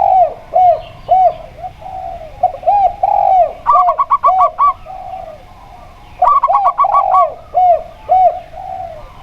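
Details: Zebra dove, local perkutut type, noted for a clear 'plong' voice, matched against a steady spotted dove. Rapid runs of short, bright coo notes break twice through a background of lower, looping coos.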